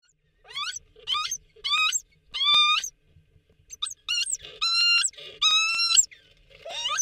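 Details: In their underground nesting burrow on Nonsuch Island, Bermuda, on the evening of 18 January 2023, a reunited Bermuda petrel pair gives squealing, wavering notes, some sliding upward, with short gaps and a few longer wailing cries.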